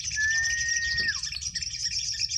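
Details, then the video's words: Sunbirds (sogon) in a face-off singing contest (adu mental) at four in the late afternoon, when the birds are about to roost. A steady, high, buzzy trill runs throughout, crossed by one long level whistle that dips at its end, over a low background hum. "adu mental sogon"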